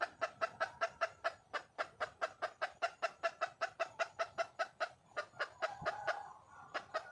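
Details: A wild junglefowl hen calls for a male in a dense series of short clucks, roughly two and a half per second, kept up without a break apart from a slight wavering of the rhythm near the end.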